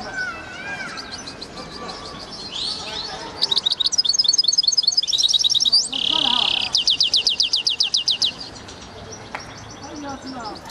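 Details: Hybrid European goldfinch kept in a cage, singing a varied run of high twitters, rapid clicking trills and one drawn-out buzzy note, with soft background noise.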